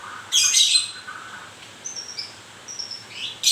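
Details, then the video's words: White-rumped shama, moulting, delivers a loud harsh burst followed by thin high whistles and soft notes, ending with another sharp burst. "Kicau mania.. murai baru rontok bulu..."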